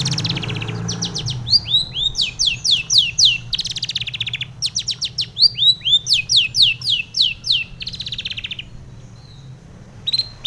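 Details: Female long-tailed shrike in the morning, used as a lure to steady caged birds: fast runs of sharp, buzzy notes and downslurred whistles, about four per second, with a short pause and a low hum beneath.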